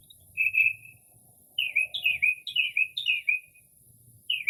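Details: Northern mockingbird mimicking different birds late at night in early spring, recorded from a porch; a steady whistle followed by a series of downslurred, wavering phrases, with a soft low rumble beneath.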